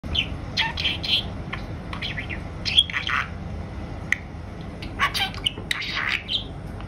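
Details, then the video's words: Female pet budgerigar chattering and murmuring indoors: scattered high squeaky, warbling bursts and short clicks over a steady low room rumble. "セキセイインコ メスのおしゃべり！ 女子インコでもおしゃべりします"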